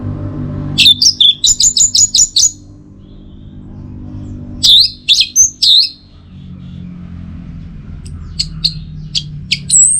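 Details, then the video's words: Orange-headed thrush song from Singaraja, North Bali, used as tutor and trigger audio for the teler style. Rapid repeated high chips and whistles come in three bursts, separated by pauses, over a steady low hum. "Masteran sekaligus Pancingan Burung ANIS MERAH Agar Selalu Bisa Menikmati Telernya setiap saat"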